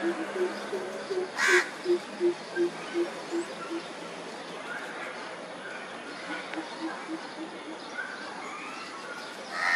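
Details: Andaman coucal recorded in March 2020 on Andaman Island, India: a long series of soft, low hoots repeated quickly and evenly, a pause, then a fainter second series, with a brief sharp noise early on.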